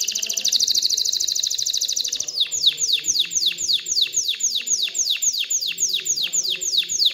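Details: Canary song given to stimulate females to breed and build nests: a rapid high roll for two seconds, then a steady chain of downslurred whistled notes, roughly three each second.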